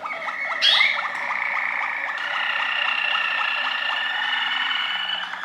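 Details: Waterslager canary song: a brief sharp high note opens a long, even phrase of repeated strokes over a sustained ringing tone, kept up steadily for several seconds.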